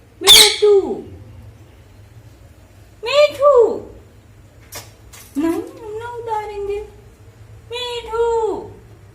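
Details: Pet parrot talking with its owner indoors: four separate voiced, speech-like utterances spaced a couple of seconds apart, each with a rising then falling tone and a rich, nasal quality.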